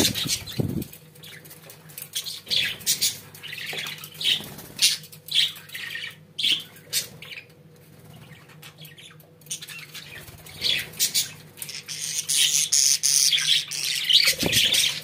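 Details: Caged pet budgerigars give a run of rapid, scratchy chirps and clicks, sparse at first, then building into a denser, louder warbling chatter toward the end over a low background hum.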